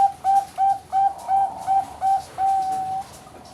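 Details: Bangkok-type zebra dove, a young captive bird from a Kediri breeding farm in East Java, Indonesia: soft, mellow coos in a spaced series, ending in one long, level held note.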